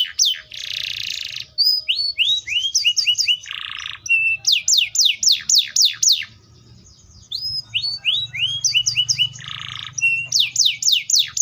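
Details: Atlantic canary in varied song: buzzy rolls, rising whistled slurs, series of sharply falling notes, a short pause, then repeated rising slurs, another buzzy roll and more falling sweeps, over a faint low hum.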